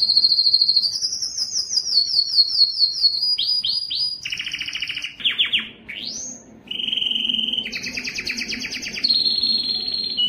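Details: Belgian canary in full breeding song to attract females: high rolling trills, a run of falling slurred notes, a swift rising slide, then buzzy rattles and a final level trill.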